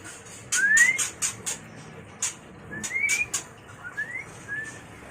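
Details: Mating call of a white-rumped shama, used to train and lure birds: three upslurred whistles, the first long and bright, separated by dry clicking bursts and harsh noisy notes.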